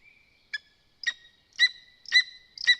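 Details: Lesser spotted eagle at a nest in Zemgale, Latvia, calling: five short, high, ringing yelps about every half second, growing louder, after a faint thin whistle.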